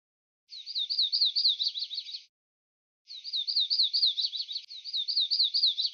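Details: Golden-winged warbler song: bright, rapidly repeated looping notes between roughly high and very high pitch, in two bursts with a short silent gap, on an otherwise silent background.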